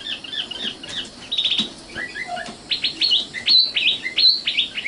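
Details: Song of a young common nightingale (sikatan londo): mixed short chirps and slurred notes building into a loud series of sharp, rising-and-falling notes repeated at a quick steady pace.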